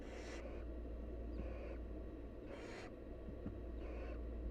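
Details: Wild barn owl nestlings beg while their mother feeds them: three harsh, hissing screeches about a second apart, over a steady low hum.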